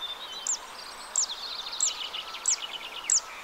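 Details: Song of a zitting cisticola recorded on 2 June 2023 in the Arzal dam wetland, Morbihan. Five piercing, high clicks come about two-thirds of a second apart, with busy chattering of other birds lower down and faint hiss.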